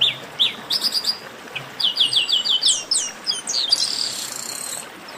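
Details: Several Chestnut-capped blackbirds in a 'baderna' chorus: scattered high chips lead into a run of rapidly repeated short whistled notes, then downward-slurred calls and a closing buzzy trill, all overlapping.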